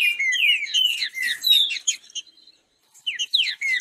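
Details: A green-winged saltator in fast competition song pours out a rapid run of bright, slurred whistles and chirps, breaking off briefly before resuming the quick, high phrases.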